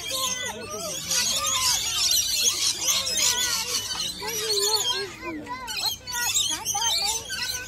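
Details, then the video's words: A flock of rainbow lorikeets keeps up a loud, continuous chatter of shrill screeches and squeaky chirps, overlapping from many birds at once. "noisiest rainbow lorikeets ever"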